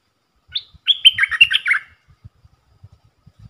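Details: Red-whiskered bulbul, a captive singing bird played for young birds to learn from, gives one quick, bright phrase of about eight rolling, liquid whistles lasting under two seconds; soft knocks and taps follow.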